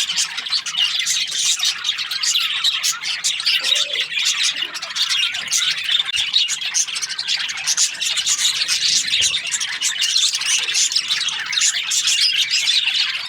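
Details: A flock of Australian budgies keeps up steady high-pitched chirping, a thick mix of raspy squeaks and rapid warbled notes that runs on unbroken for the whole stretch.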